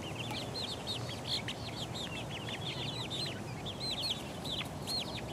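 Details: Young chickens, four weeks old, foraging and pecking; dense runs of clear, high, down-curving peeps follow one another rapidly, several birds overlapping, over a light steady hiss.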